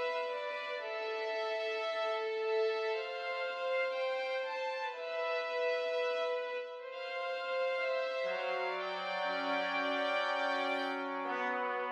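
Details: Brass music with sustained horn and trumpet-like tones fills the whole recording, and no animal voices can be heard.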